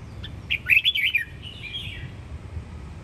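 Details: Home-raised red-whiskered bulbul of the Sông Kon line from Quảng Nam, Vietnam, singing; a bright burst of quick warbled notes followed by a shorter, softer whistled phrase, over low rumbling background noise.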